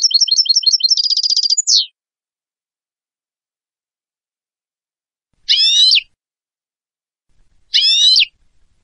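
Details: European goldfinch (Carduelis carduelis) song offered as a tutor for training birds: a quick, tinkling twitter running into a brief buzzy trill, then two separate nasal, wheezy notes a couple of seconds apart.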